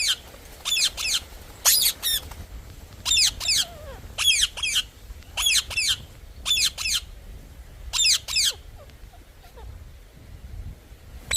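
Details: Parrot calling with rasping doubled squawks repeated steadily, roughly every second or so, over a soft low hum.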